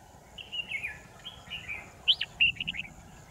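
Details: Red-whiskered bulbul used as a trapping decoy, recorded 10 December 2018: slurred whistled notes followed by a burst of short bright chirps, over steady background hum.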